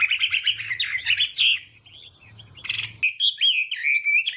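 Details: Chinese hwamei's morning song in a voice-training session to provoke singing: bright warbled whistles, a short pause with a buzzy burst, then looping whistled phrases, low hum present.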